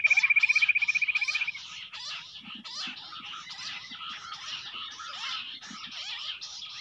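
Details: Jungle bush quail fighting: a quick, even trill of pulses opens, then harsh, buzzy, crackling bursts repeat several times a second, with faint low knocking underneath.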